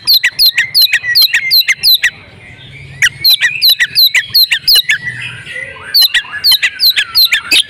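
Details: Female oriental magpie-robin in breeding condition used as a lure for silent males: quick regular bursts of sharp, sweeping notes, about three each second, broken by a softer buzzy passage and resuming faster at the end.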